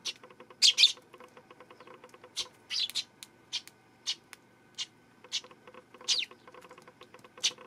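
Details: Eurasian tree sparrow recorded 12 September: a quick double chirp opens, then spaced, slightly harsh chirps every half second or so, mixed with steady rapid ticking like soft tapping.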